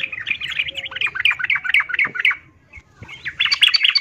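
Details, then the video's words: Yellow-vented bulbul female, in breeding condition, calls a male with a rapid, bubbly string of chirps, about four a second, then a short pause before another burst of chattering notes. "Trucuk Betina memanggil jantan"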